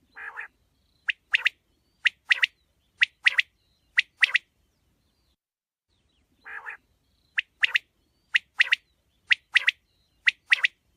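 A quail gives a harsh, grating note, then a quick run of sharp, clipped chirps. The phrase comes twice, about six seconds apart, against a quiet background.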